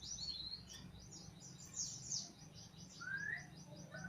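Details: White-eye, a pleci of fighter type, singing gacor: rapid high-pitched twittering chirps run steadily throughout, with one clearer rising whistle near the end and a low steady hum underneath.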